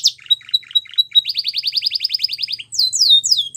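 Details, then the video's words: Belgian canary singing short chippy notes, then a quick even trill of rising-falling whistles, ending with a few broad sweeping whistles. "The Most Beautiful Canary Singing | Belgian Canary Song"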